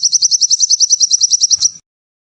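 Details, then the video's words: Sunbird producing a fast, high-pitched trill of evenly spaced sharp notes that runs for under two seconds and then stops. "Sogon Gacor!!"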